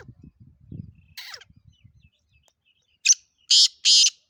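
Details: Sindhi black francolin, kala teetar of the Gangas Nasal, Chakri Wala kind: low knocking and shuffling noises, then a short rasp and two loud, harsh, nasal buzzy notes near the end.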